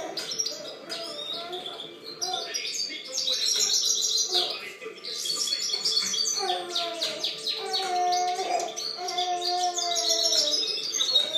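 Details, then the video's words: Goldfinch singing in 2013, a rapid jumble of liquid twitters and short buzzy trills, with steady lower tones running underneath and background noise. "Chant chardonneret 2013"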